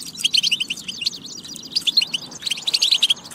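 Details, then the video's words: European goldfinch song, batba meant to spur goldfinches to sing: clusters of clear, sharp tinkling notes in quick runs, a short lull, then a dense final burst. "بتبة فتاكة لتحفيز الحسون على التغريد والجهوزية"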